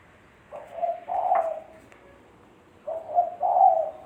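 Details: Tekukur, the spotted dove, singing for a bird-lure recording. Two deep, gentle phrases are heard: stuttering short coos run into a longer, slightly rolling final coo, with a quiet pause between them.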